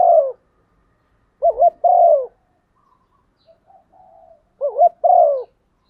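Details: Spotted dove female urging a male with her coo: a falling mellow note, then two phrases of quavering double notes plus a drawn-out descending coo, with faint soft sounds in the gaps.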